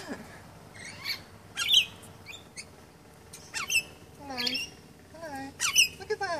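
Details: Fearless lorikeets being hand-fed special lorikeet food in March 2015 give short, harsh, shrill screeches in bursts about every two seconds, some with rapid rising-falling notes, amid people talking close by.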